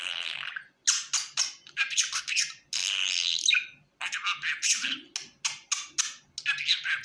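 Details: A happy pet budgerigar keeps up a fast, dense warble of gritty chirps, clicks and squeaky notes, with one longer buzzy stretch in the middle and quick, irregular bursts after it.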